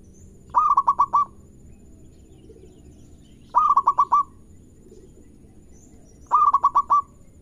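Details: Local zebra dove in lively song meant to coax other doves into calling: three phrases of five or six quick, rolling coos, repeated roughly every three seconds over a faint low hum.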